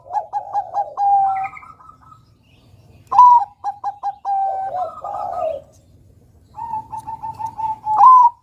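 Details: Caged Bangkok-type perkutut (zebra dove) singing repeated bursts of rapid coos that end in long held whistled notes, three phrases with low rolling coos between.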